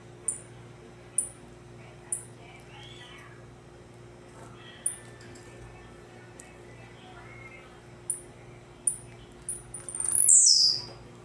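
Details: Blue-black grassquit in tec-tec song: very short, sharp, high notes repeated roughly once a second, ending in a loud sweeping descending note, over a steady electrical hum.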